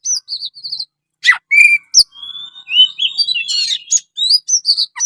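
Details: Oriental magpie-robin singing in the lively 'gacor' style: short repeated whistled notes, a downward sweep, then long clear whistles, buzzy trills and varied rising phrases.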